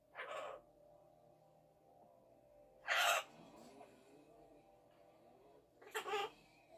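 Blue-winged macaw giving three harsh, grating screeches spaced about three seconds apart, over a faint low background murmur.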